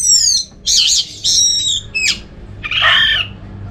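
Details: Orange-headed thrush song used to make other thrushes sing: a tight sequence of high, rich whistles, wavering trills and a sharp downward note, ending with a lower, fuller warble.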